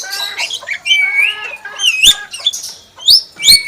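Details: Pet common hill myna giving a rich, fluent run of whistled notes that rise, bend and hold, mixed with sharp upward-swept squeaks and short harsh bursts, loud and close throughout.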